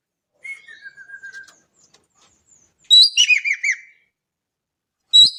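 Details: Javan kingfisher, Indonesia, a loud series of five harsh, hooked notes, then the start of another burst; a thin falling whistle from another bird sounds beforehand.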